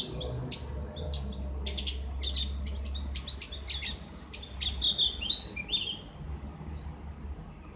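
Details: Javan grey-throated white-eye (cak gentong) singing ngriwik for bird therapy, clear ngeplong tone. Sharp clicks open, followed by high slurred whistles and a few falling notes, over a low hum.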